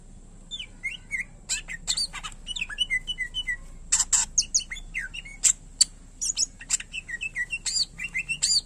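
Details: Cucak ijo, the greater green leafbird, pours out a dense, continuous mix of chips, clicks and sliding whistles, with other similar high notes overlapping and a faint low hum behind.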